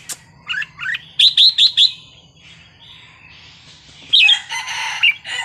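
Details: Red-whiskered bulbul singing a wild-style song: a quick run of four bright, rising chirped notes, then a pause and a burst of richer, warbled phrases, over a faint steady low hum.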